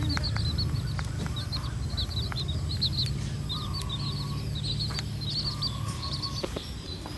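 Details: A hen red junglefowl guides her chicks to feed in the wild. Clusters of high, twittering peeps alternate with brief gaps, with sharp ticks, two longer steady whistled tones and a low rumble throughout.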